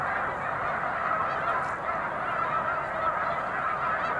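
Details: Huge flock of snow geese lifting off together as a boater approaches, March 2021; a constant, crowded mass of honking that gently rises and falls in loudness throughout.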